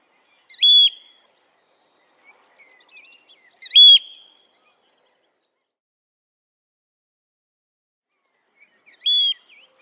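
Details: A Eurasian oystercatcher recorded in the wild gives three loud, shrill, piping 'kleep' notes spaced a few seconds apart, with a few faint softer notes between them.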